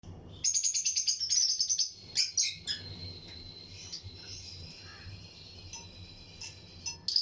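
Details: Lutino lovebirds, pairs kept in a breeding colony flight aviary, chirping among other birds: a quick burst of sharp, high chirps for nearly two seconds, then scattered short chirps over a steady, thin high-pitched tone.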